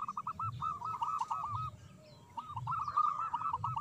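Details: Local zebra dove singing: two trilled runs of bubbling coo notes separated by a short pause, quieter and with background hiss and low rumble.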